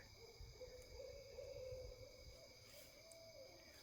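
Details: Owl calling out of the dark at night: a faint, drawn-out wavering tone holding a low pitch for about three seconds, slightly rising and falling. Steady hiss and background hum throughout.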